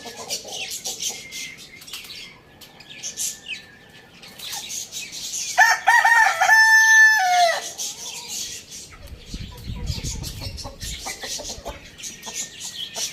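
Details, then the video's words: Morning crow of a rooster, one loud drawn-out cock-a-doodle-doo in the middle, rising then held and dropping at its close, with many small birds chirping before and after. "Rooster crowing sound in the morning"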